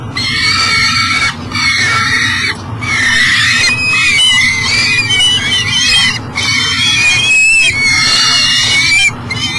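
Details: A peregrine falcon at a nest box with eyasses in Elk River, Minnesota, trying to get in with breakfast on a July 2012 morning, calls almost without pause. The harsh, harmonic wails waver in pitch and run together in a long series.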